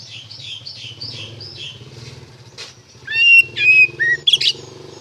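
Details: Magpie-robin singing the ngeplong style as a lure to provoke other magpie-robins into replying: soft repeated chirps over a low steady hum, then loud clear whistled notes and sharp chattering bursts.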